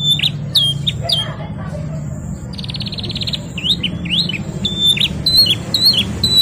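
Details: Singing canary, 'gacor ngerol nembak' style: a few sharp chirps, a dry buzzy rattle lasting almost a second, then rising and falling whistled notes over low hum.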